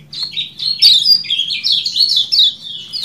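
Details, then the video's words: Common iora singing in the ciak jos style, from a long birdsong training recording: a rapid run of high whistled and chirping notes, sliding up and down, almost without pause. "MASTERAN AMPUH CIAK JOS KECIAL KUNING DURASI PANJANG"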